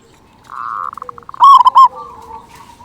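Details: Zebra dove, local and big-voiced, used as a lure to make other doves sing; a smooth rolling trill breaks into pulses, then two loud gurgling coo notes, followed by a fading soft tone.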